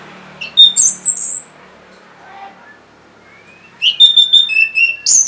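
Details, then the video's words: Song of the orange-headed thrush, used to coax stalled or quiet birds into singing: high sweeping whistles, a quiet gap with faint twitters, then a run of rapid repeated notes and falling whistles. "C0COK Untuk Pancingan Burung ANIS MERAH Bahan Macet Ataupun Malas Bunyi"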